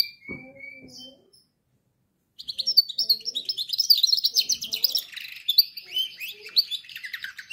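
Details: Song of a canary for training canaries: after a few soft whistles and faint low background sounds, a dense stream of fast, rattling high trills and chirps starts and continues to the end.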